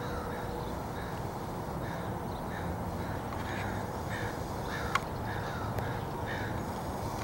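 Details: Crows gathering in backyard trees, recorded 29 July 2014. Hoarse caws come in short repeated bursts through steady low background rumble, with a sharp click near the middle.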